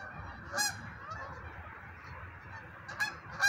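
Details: Geese flying overhead at sunset along a Wisconsin river give a chorus of nasal honks, with a few louder, sharp honks standing out above the noisy flock.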